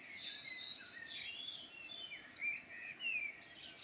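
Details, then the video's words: Irish Midlands birdsong: lively, high twittering and short whistled slurs from several birds, with two louder bright phrases near the end over a quiet rural background. "Beautiful birdsong in Ireland Midland"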